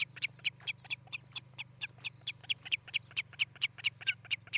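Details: Osprey at the nest in Charlo, Montana, nest camera, 18 July 2018, late morning: repeated high, thin whistled chips, about four per second, brightening toward the end, over a constant low hum.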